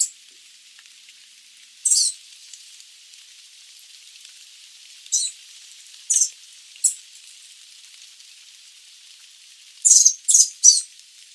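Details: Sooty babbler (Stachyris herberti) giving short, high, hissing bursts at irregular intervals, some in quick runs of two or three, over a quiet background.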